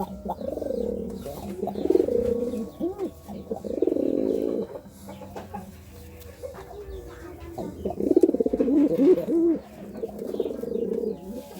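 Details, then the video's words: Pigeon cooing while courting: deep, throaty rolling coos in bursts of about a second, repeated with short pauses, the bubbling phrases swelling and fading with faint rustling behind. "Suara Burung Merpati merayu"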